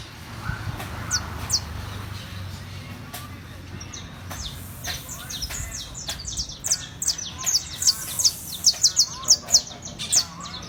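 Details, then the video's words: Saffron finch warming up its song, called fogueo or calentamiento: sparse high chips at first, then a fast, loud series of sharp notes in the second half, with clicking sounds throughout. "FOGUEO O CALENTAMIENTO CANARIO DA TERRA"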